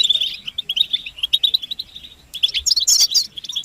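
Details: European goldfinches in a collective twitter, offered as mating-readiness calls to push a silent male into song. Quick chattering notes run in a steady stream, then a burst of higher, sharper trills near the end.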